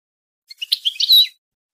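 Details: European goldfinch song for breeding and singing training: a dense, jangling twitter that builds over under a second and ends in a sustained, clear high note, with no background sound.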